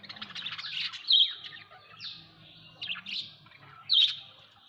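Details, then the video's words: Budgerigars at home: loud descending chirps repeated about every second, mixed with rapid warbling chatter. "Bajrigar birds at home"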